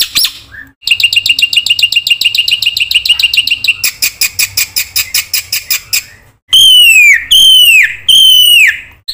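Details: Black-winged myna singing vigorously as a tutor lure: a quick, repeated chattering series, a denser rattle, then three loud down-slurred whistles separated by short gaps.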